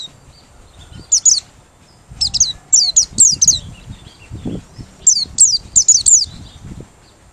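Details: A Merapi white-eye (pleci), open-beaked and singing, used as a lure bird: very high, thin twittering phrases, quick rising and falling bursts of about half a second each, with soft low thumps between them.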